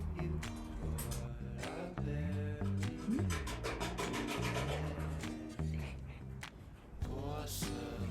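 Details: Instrumental music with plucked strings, shifting chords and brief rasping, rubbing sounds.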